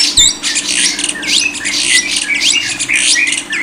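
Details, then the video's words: Lovebird chatter recorded as tutoring audio for Indonesian songbird keepers: dense, high squeaky twitters and quick rising and falling whistled notes, almost without pause, over a steady low hum. "jamin paling ampuh // paling di cari para kicau mania"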